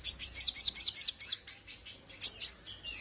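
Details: Javan grey-throated white-eye singing vigorously in full ngleper style, recorded as a tutor song for training other birds: a quick run of high, sharply dropping whistled notes, then a pause and a few softer scattered chirps.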